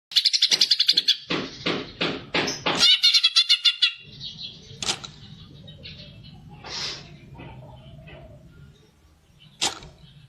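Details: Greater green leafbird fighter song used to provoke other birds into singing: loud, sharp, rapid repeated whistled notes and rattling phrases, fading into softer scattered calls over a low background hum.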